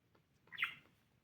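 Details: A pet budgerigar at morning play gives one brief, scratchy chirp, rising quickly and then falling, against a quiet low hum.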